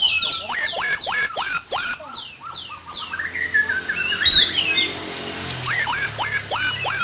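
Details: Common iora singing energetically: rapid runs of high, downslurred whistled notes, a softer warbling passage in the middle, then another burst of quick sharp whistles near the end.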